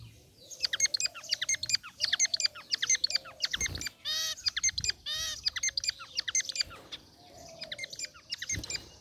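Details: Group of zebra finches, white and gray varieties, in an aviary cage: dense overlapping ticking chirps with two loud nasal, buzzy calls midway and a soft lower trill weaving beneath.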